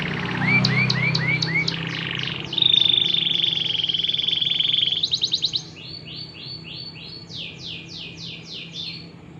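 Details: Canary song played as a lure to get less active canaries singing: loud, varied phrases of rising chirps, a long bright buzzy trill, then fast repeated sweeping notes, over a low steady hum.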